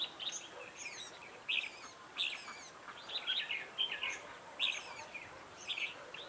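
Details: Red-whiskered bulbul at a bird trap, singing as a decoy to lure wild birds: loud, lively warbled and whistled phrases repeated about once a second, each a rapid cluster of bright notes, with quieter chirps in between.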